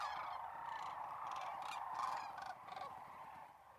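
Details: Sandhill cranes massed in a corn field near North Platte, Nebraska, March 2021; a continuous chorus of rattling, bugling calls, with a few louder grating notes standing out before the chorus eases slightly near the end.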